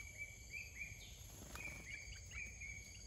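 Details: Red-whiskered bulbul in the wild, fiercely chasing a decoy bird, sending out steady runs of clear whistled notes repeated about every half second over a constant hiss of insects, broken once by a sharp clatter.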